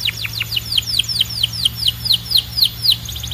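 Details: Canary song made of a single tour of sharp, high, downward-slurred whistled notes, repeated evenly about four times per second.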